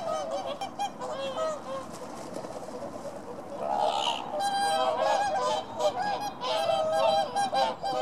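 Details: Whooper swans at Ängö, Kalmar, Sweden, 24 January 2018: a flock trumpeting continuously, with loud, nasal, bugling honks overlapping several times a second and swelling in volume toward the end.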